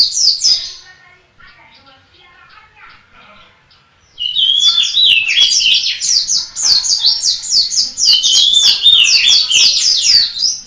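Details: Indonesian white-eye from Malang singing persistently: a short high burst, then near silence with faint chatter, then a long loud run of rapid, thin, zigzagging twitters and whistled notes.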